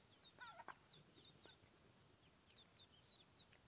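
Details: High thin peeps from newborn mallard ducklings, each a quick falling note, repeated in uneven bursts. A couple of louder, lower cheeps come near the start over a quiet outdoor background.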